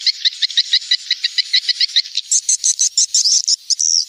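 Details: Swiftlet lure sound for the rainy season: rapid series of high double-toned chirps, then shriller, rising twittering notes in the second half.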